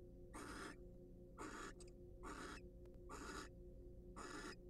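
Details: Barn owls, wild birds free to come and go from a research nest box, preening and courting: five rasping, noisy screech-hisses spaced about one second apart, with faint clicks between them and a constant low hum beneath.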